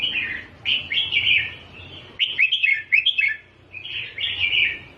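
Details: Red-whiskered bulbul song in the doubled style, used to teach young birds to sing. Bright warbled phrases, each about a second long, come in three bursts separated by short pauses, with a faint low hum underneath.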